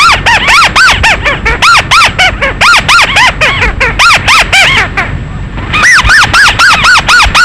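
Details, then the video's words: Night lure call of chim mắt xéo: a steady stream of loud, rising-and-falling squeaky notes, roughly four per second, with a short break before resuming. "Tiêng chim măt xéo (chim chuôt )file đánh đêm."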